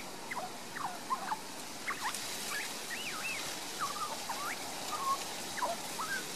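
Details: Young Australian magpie in a Queensland garden, Australia, recorded on a Panasonic Lumix DMC LX7; soft warbled phrases of looping, bending whistles spaced through the clip, fairly faint against broadband background noise.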